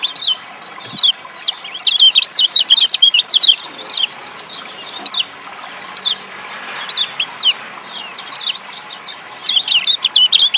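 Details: Lemon-bellied white-eye of Lombok, a kept song bird; bursts of quick, high, twittering downslurred notes, busiest early and again at the end, with short pauses between phrases and light background hiss.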